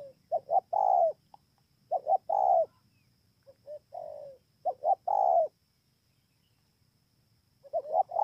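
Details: Spotted dove from Bờ Y, Kon Tum, Vietnam, 28 November 2017, cooing steadily. Repeated three-part phrases of two short coos and a longer falling coo come roughly every one and a half seconds, one of them quieter, then a pause before another starts.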